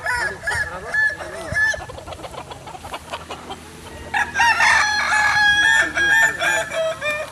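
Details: Kukuak Balenggek rooster, a native chicken breed from Solok, West Sumatra, crowing. Scattered clucks and soft rustling come first, then a loud, long crow of several linked, wavering syllables fills the last three seconds.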